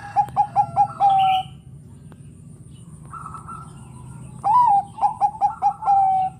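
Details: Bangkok zebra dove said to provoke rival doves; a phrase ends in clipped notes and a long tone, then after a pause an upslurred coo, four quick notes and a sustained final note, with other faint cooing between.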